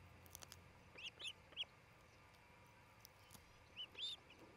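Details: Midday nest-camera sound from an osprey nest in Charlo, Montana, 27 June 2018: scattered high whistled chirps in small clusters of two or three, with soft clicks and knocks from the nest between.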